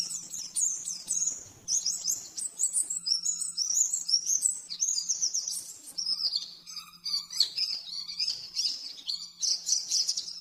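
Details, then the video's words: Caged-bird training master of oriental white-eye in 'nembak-nembak' style: ten seconds of nonstop high, rapid chattering notes with quick rising and falling slurs. A soft low hum runs throughout. "Masteran burung pleci nembak-nembak 100% jernih"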